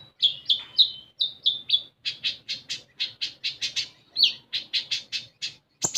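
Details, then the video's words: Lure song of a common iora for stimulating untrained captive ioras: a long, steady run of clear whistled notes, each falling slightly, repeated about three times per second, ending in a sharp burst. "Konin Bahan Dijamin Langsung Bunyi"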